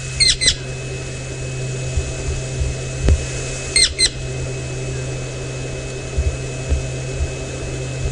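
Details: Woodland kingfisher (Halcyon senegalensis) at sunset on 20 November 2017 in Djuma, Sabi Sand, South Africa, presumably calling for its mate: two brief, high calls, each a sharp note tumbling into a trill, three seconds apart, over engine hum; another male possibly answering.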